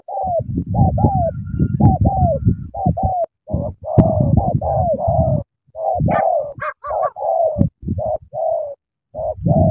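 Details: Spotted dove from Cà Mau giving rapid, vigorous coos: short and drawn-out falling notes run together over a heavy low rumble and knocking, with brief higher squeaks near the middle.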